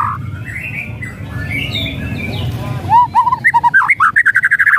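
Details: White-rumped shama song used as a lure for a silent bird: soft distant warbling at first, then a loud fast series of rattling, bouncing notes speeding into a steady chatter.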